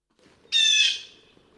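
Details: Blue Jay recorded in Hammond Hill State Forest, Tompkins, New York, in 2014, giving a single harsh, raspy call lasting about half a second, loud and grating, with a faint background hum before and after.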